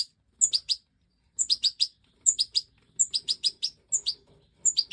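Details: Major goldfinch (Stieglitz Major) during breeding, 2024: repeated short phrases, each a very high lead note followed by three or four bright tinkling chirps, roughly one phrase per second.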